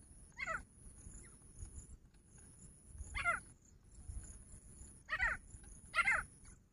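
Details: A grey francolin, recorded on 2 August 2023, gives loud, harsh, grating call notes in four bursts, the last two closer together, over a steady high-pitched whine and low background rumble.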